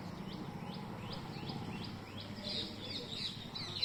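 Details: Green parrots perched in a mango tree, recorded on a mobile phone: faint, short rasping screeches repeated in a loose series, growing louder toward the end, with low background rumble.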